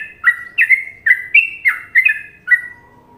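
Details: Trucukan-style song of a yellow-vented bulbul from Indonesia: seven clear, liquid whistled phrases with short pauses between them, some slurring downward and others level, followed by a faint low tone.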